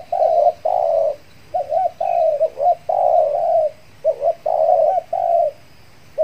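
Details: Spotted dove kept as a lure for wild doves in Kepri, just finished moulting; a steady run of hoarse, wavering coos, some notes long and flat, others short and dipping, separated by brief pauses.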